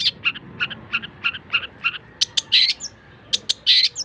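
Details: Long-tailed shrike in a song recording used for tutoring other songbirds: a run of evenly spaced harsh, clipped notes, then louder buzzy bursts and sharp high clicks.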